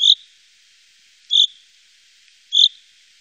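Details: Common chaffinch, Wittlicher Tal, 2018: three crisp, short call notes spaced about 1.3 seconds apart against a very quiet background.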